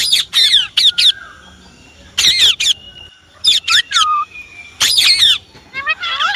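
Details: Pet Indian ringneck parrot producing clusters of sharp, shrill squawks separated by quiet gaps, one cluster ending in a falling whistle, with a faint steady tone in the background and soft twittering at the close.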